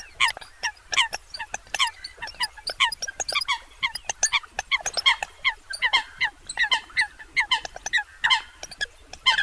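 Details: Eurasian coots chatter steadily with clipped, nasal, honking notes, many birds calling over one another in an unbroken, lively chorus.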